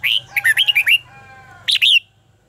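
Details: Red-whiskered bulbul singing in a contest-style bout used as a decoy for training birds: loud whistled, warbling notes swooping between rising and falling pitches in a quick run, a pause, then a second burst, with a low hum underneath.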